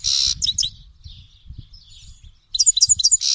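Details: Buzzy notes and twittering from a Grey-headed goldfinch, then quieter scattered chirps, ending in a renewed burst of bright trilled notes; a low rumbling runs underneath.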